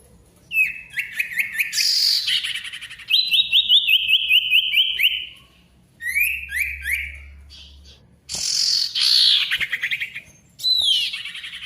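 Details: Ashy tailorbird song, used to coax silent tailorbirds back into singing: loud, high whistled notes in quick rising series, rapid repeated chirps and sharp upslurred phrases, with brief buzzy bursts between phrases.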